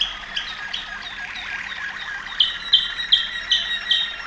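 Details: Waterslager Malinois canary in Serbia, singing a fast rippling trill of tightly repeated notes, then five clear liquid accented notes spaced about every 0.4 seconds.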